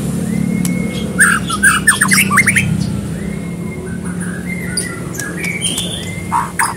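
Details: Lure recording of a white-rumped shama singing gacor style to prompt another bird: long flat whistles alternating with short bursts of rapid upswept notes, set against a steady low drone.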